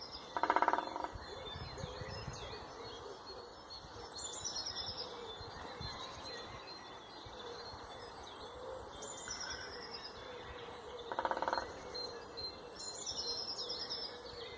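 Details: Woodpecker drumming: two short, rapid rattling rolls, one near the start and another about eleven seconds later, over a steady chorus of high whistled and chirping songbirds and a soft cooing hum.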